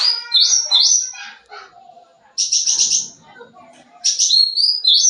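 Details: Sooty-headed bulbul singing lively to lure young birds: high whistled slurs and a dense buzzy trill, then rising and falling whistles after a quiet gap.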